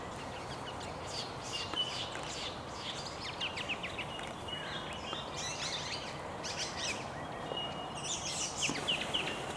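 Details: About a dozen Swift parrots staging in early morning before flying off to feed on Spotted Gum blossom, Werakata State Conservation Area, Pelton, NSW; flock chatter of rapid, high metallic chirps and piping notes in overlapping bursts over a steady low rumble.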